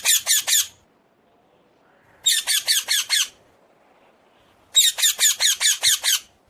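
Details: Common hill myna giving three bursts of rapid, grating squawks, five to seven notes each, separated by pauses of about a second and a half, in a quiet setting.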